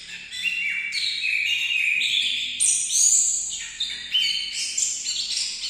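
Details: Orange-headed thrush singing a rich, varied run of clear whistled phrases that step up and down between mid and high pitch, with a bright high note near the middle and no pauses.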